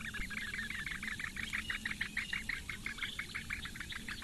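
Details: Hungry Eurasian bittern chicks, four in the nest, calling while the female brings breakfast, Lake Engure reedbeds, Latvia, 15 May 2017. Rapid rhythmic chip notes, roughly three each second, steady and insistent.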